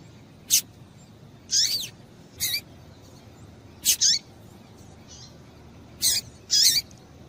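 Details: Female double-collared seedeater calling to stir up males: short, piercing, high notes, often doubled, repeated irregularly about every second or two, with faint background hiss.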